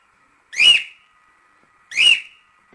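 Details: Two loud cockatiel whistles, each a brief upward-then-downward swoop, about one and a half seconds apart in near silence.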